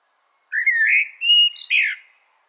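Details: Melro preto blackbird giving a clean, mellow whistled phrase: a slurred rising note, a sustained flat whistle, then a falling burry end.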